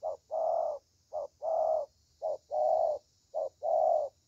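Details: Spotted dove, a young bird noted for a strong voice, singing a short coo followed by a longer, fuller drawn-out coo, the pair repeated roughly every second in a clean, quiet setting.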